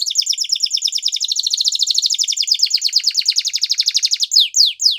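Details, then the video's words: Training song of a Belgian canary: a long, even, very rapid trill of short falling notes repeated many times a second, changing at the close to three slower, louder downward swoops. "The Most Magical Canary Training Song | Belgian Canary"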